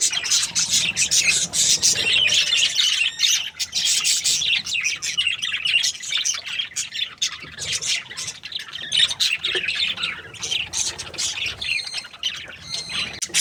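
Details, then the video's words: Budgerigar breeding pair chattering steadily: a continuous stream of fast scratchy chirps and squeaky notes, about two per second, with a few clearer whistled notes near the end. "Happy budgies chirping sounds | parakeet breeding pair"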